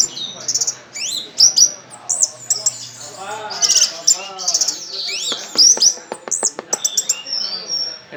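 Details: Orange-headed thrush, a contest bird praised for loud volume and tail spreading, sings a fast varied song of high sharp whistles, buzzy notes and quick rising and falling slurs, with short breaks between bursts and a brief clipped series near the end.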